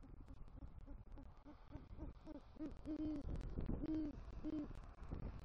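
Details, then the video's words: Low hooting from a male great horned owl carrying rodent prey to the nest, calling his mate, Southwest Florida, November 2023: quick faint hoots build into three longer, stronger ones. "Male GHO Brings Rodent Prey To Nest & Calls For Female"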